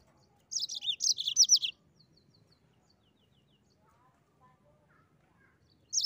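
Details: Mozambique canary giving a lively burst of high, rolling chirps lasting about a second, then near silence with faint distant ticking, before another burst begins at the very end.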